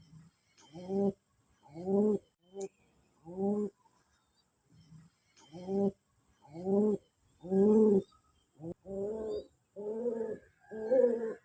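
Pigeon cooing: low, throaty bursts with a rolling, bubbling quality, about one per second and sometimes doubled, in a quiet setting.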